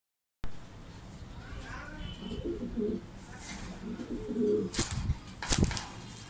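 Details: A young, newly mature, very aggressive male Lahore pigeon gives soft, low, throaty coos in short bursts over background hiss, with a few sharp clicks and rustles near the end.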